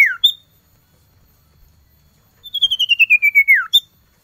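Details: Male common iora (cipoh) calling to a female, cold season: a short falling whistle, silence, then a quick series of about ten pulsed whistled notes sliding lower and ending in a steep downward slur.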